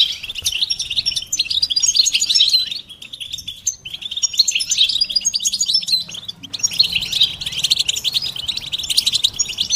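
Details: European goldfinch song in the betbeta and setseta styles, mating and readiness calls for stimulating silent males: rapid, rattling high-pitched twitters in long runs, with a short pause before another energetic chattering burst.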